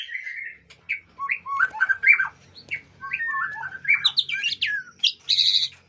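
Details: Aceh white-rumped shama kept by a breeder delivering a lively song of clear whistles, rising and falling slurs and harsh chips, ending in a buzzy high burst, with faint low hum behind.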